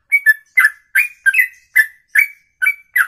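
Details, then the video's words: Bird performing a ropelan, a single-breath song of over two minutes; loud whistled notes with rich overtones, some doubled, spaced about three per second in a clean recording. "Inilah Ropelan Sekali Nafas 2 menit lebih"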